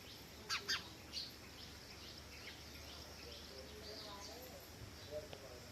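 House sparrow giving a few sharp, bright chirps: three close together early on, then one more near the end, over a low steady background rumble.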